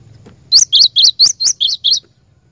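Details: Seven loud, high chirped notes from a cinereous tit, a lure bird used to train caged birds, delivered in a steady quick series lasting about one and a half seconds.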